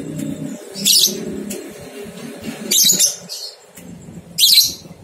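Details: Lovebird ngekek aimed at stimulating two-month-old young birds to sing: three separate harsh, shrill bursts about a second and a half apart over a steady low humming background.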